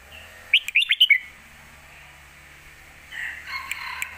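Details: Red-whiskered bulbul kept in a cage, singing part of a Lak Wai master song for young birds: a quick burst of five bright whistled notes, then near quiet with a faint soft chatter.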